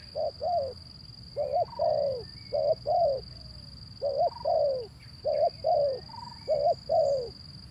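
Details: Zebra dove, male, recorded as a prompt for silent birds: groups of two or three low coos, the last note longer and slurred, coming in irregular bursts, plus faint higher whistles and a continuous high-pitched whine.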